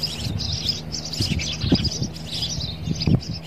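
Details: Male sparrow fighting his own reflection in a mirror, giving bright chirps in quick bursts over dull low thumps and taps, with a steady low hum behind.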